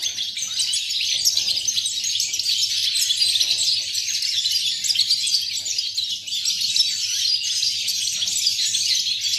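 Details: Goldfinch, 8 November 2018, pouring out a dense, unbroken stream of high tinkling and buzzy twitters with no pauses, over a faint low hum.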